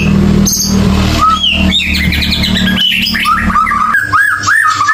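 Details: White-rumped shama lure song meant to get a bird that has stopped singing to sing again. Rising whistles and quick chirped phrases come through a rumbling, vehicle-like background noise.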